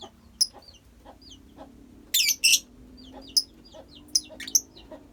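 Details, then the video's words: Lovebird colony calling with scattered sharp chirps and soft clicks, a loud double burst of harsh shrieking in the middle, over a low steady hum. "Love bird koloni bagus buat terapi love bird"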